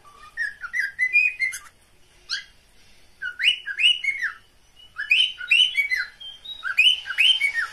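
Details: Captive cockatiels making mating calls, phrases of rising whistles and bent chirps delivered in three clustered bursts separated by short pauses.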